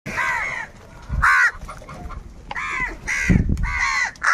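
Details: Crows calling, described as crows fighting for food: harsh arched caws around four per second in bursts, with low thumps and rustling between calls.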